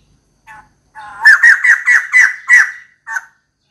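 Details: Female white-crested laughingthrush calling for a mate: a short faint note, then a loud run of about seven harsh, chattering notes at an even pitch, ending with one brief clipped note after a pause.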